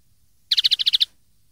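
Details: Common linnet song used to tutor young birds, 2013: a short even trill of eight rapid twittering notes lasting about half a second.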